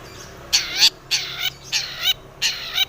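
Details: Cendet (long-tailed shrike) singing loudly, used as a lure to prompt other shrikes to sing; four harsh, rasping, broadband bursts, each about a third of a second long, repeated roughly every 0.6 seconds.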